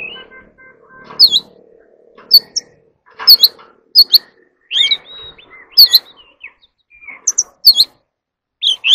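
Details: Kept Oriental magpie-robin in competitive singing: spaced whistled notes and sharp upward-sweeping chirps every second or so, with quiet gaps between.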